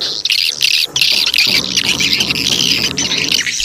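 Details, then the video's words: Swiftlet lure call used to attract swiftlets: dense, continuous high chittering and buzzy twittering, many overlapping rapid notes forming a steady wash with brief gaps, plus low rumbling background. "Suara tarik burung walet"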